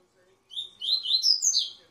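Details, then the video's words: Double-collared seedeater from a breeder's birds, singing in the tui tui zel zel style: about one and a half seconds of bright, high twittering with slurred whistled notes rising and falling, no other clear sounds. "COLEIRA TUI TUI ZEL ZEL"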